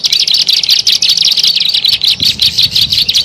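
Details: Bar-winged prinia lure call: fast, high, scratchy chirping notes repeated steadily in quick bursts with no pauses, and faint low rumbling in the background.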